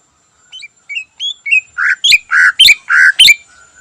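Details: Cucak ijo singing vigorously in the morning, full 'isian' style: a run of short rising whistles grows into loud, rich, slurred notes broken by sharp clicks, about ten notes in under four seconds in a quiet setting.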